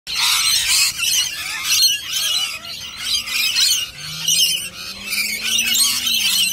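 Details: Rainbow lorikeets gathered in large numbers and lined up in an orderly row, giving dense, harsh, shrill screeching chatter in overlapping bursts, with a faint low hum rising underneath.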